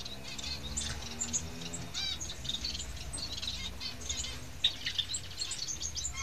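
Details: Young society finches chirping in a constant high, scratchy chatter of short overlapping notes, a few sharp louder peeps near the end, with a low background hum throughout.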